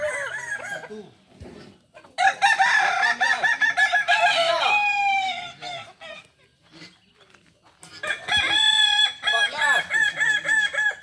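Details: Kokok balenggek chicken at a latberan gathering in Solok, two loud crows separated by a quiet gap, each a series of short stepped notes running into sustained tones, with murmuring voices and further crowing nearby.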